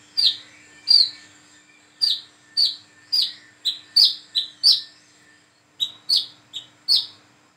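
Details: Young plain-throated sunbird (wiceh, kolibri kelapa) practising its call: bright high chips in clusters of two and three, some short and clipped, others sliding down, with brief pauses between bursts.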